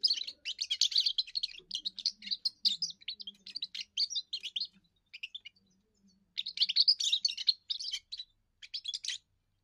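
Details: Young European goldfinch delivering its first song to guard territory and court females: long, nearly continuous streams of rapid, sparkling twitters and buzzy trills, broken by brief gaps, with a faint low murmur beneath.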